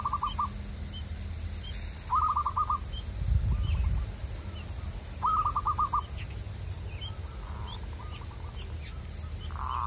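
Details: Local wild zebra dove calling at a trapping site: several rattling coo phrases of rapid clipped notes, some loud and some quieter, a few high chirps from other birds and low background rumble.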